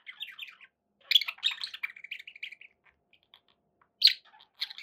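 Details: Budgies giving a run of warbled chirps trailing into a series of evenly repeated short notes, then a pause and a loud sharp squawk.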